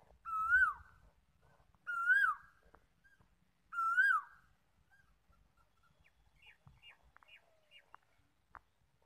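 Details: Koel repeating a loud whistled note three times, roughly every two seconds, each rising then dropping. Quieter, thin chirping notes follow in the second half.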